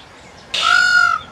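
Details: Peacock screaming: a single loud, drawn-out nasal wail held at a steady pitch for about half a second, rising sharply out of quiet background.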